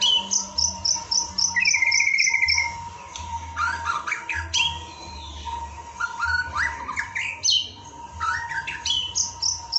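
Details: White-rumped shama singing for song practice: it opens with a row of about ten quick, evenly spaced high notes, then a buzzy trill and rapid, varied whistled phrases. A steady background hum runs throughout.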